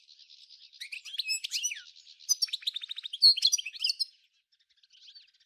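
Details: Goldfinch 'nature' style song from Souk Ahras, Algeria, matching the Djnane Bouecha and Ain Dalia dam lineage of 1995: quick liquid twitters and sliding whistles, a burst of fast stuttered notes, then a pause and a soft final twitter.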